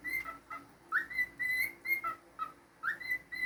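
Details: Clear whistling from a pet cockatiel, alternating steady high tones with short lower notes and two upward-swooping slurs, the phrase pattern recurring across a few seconds.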